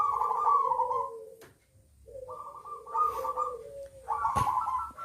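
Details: Captive local zebra doves (perkutut) in a private collection, cooing in warbling, wavering phrases of about one second, separated by short pauses, with a sharp click near the end.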